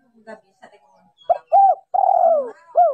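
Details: A female spotted dove calling to draw and stimulate males, in a decoy recording with noise reduced. Faint clicks come first, then a short coo, a rounded coo, a long descending croo and a final falling note.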